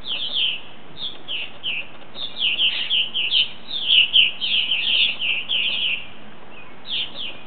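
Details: Flock of about ten purple martins settling in for the night, calling in rapid overlapping bursts of gurgling downward chirps, building to a dense chorus in the middle.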